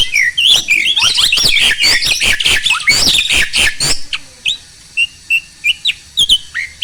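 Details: Starling singing to coax quiet birds into song: a dense burst of harsh chattering and sharp whistled sweeps for four seconds, followed by spaced, short chirps.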